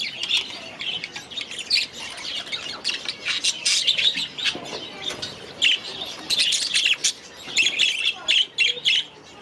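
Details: Aviary flock of budgies keeping up continuous high-pitched warbling and chirping, in pulsing bursts of busy chatter with short dips between them.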